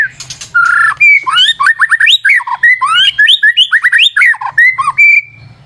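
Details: Continuous lure song from an energetic white-rumped shama, packed with sweeping up-and-down whistles and rapid warbled phrases, ending on a steady whistle.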